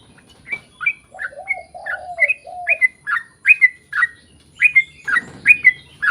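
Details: Sooty-headed bulbul singing a long roll, offered as a lure to make other bulbuls sing. A run of lower slurred whistles sits under a steady string of sharp, bright chirped notes, with brief rustling near the end.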